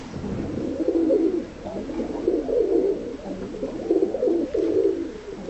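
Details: Loft-kept tumbler pigeons, seemingly timid but easy to handle, cooing in a steady series of low, warbling phrases roughly every second.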